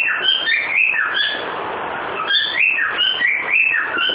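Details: Pet cockatiel making noise and whistling the song "Ô bate o pé": clear bouncing whistled notes climbing and sliding down in a repeated tune, with a short pause mid-phrase and steady hiss underneath.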